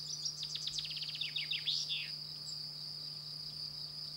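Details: A common chaffinch (Fringilla coelebs) sings in France, a bright two-second phrase of quick descending trills that speed up and end in a flourish, with a steady high insect drone and a low hum throughout.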